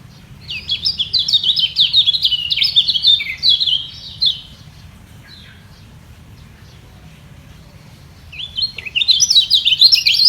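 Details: Yellow white-eye defending its top spot in a singing duel: four seconds of rapid high twittering, a long quiet gap, then the fast jerky chirping resumes near the end.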